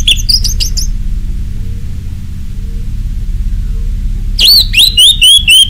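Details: An orange-headed thrush in ngeplong song, used as a lure for other birds: a short burst of high chirps, a quiet gap, then a rapid series of bright slurred whistles, about three per second, against a faint hum.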